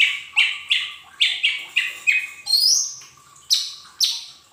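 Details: Lesser green leafbird song used as a lure to get untrained cage birds singing quickly: a fast series of bright, slurred chirping notes, some rising sharply into high whistles near the end, over a faint steady hum.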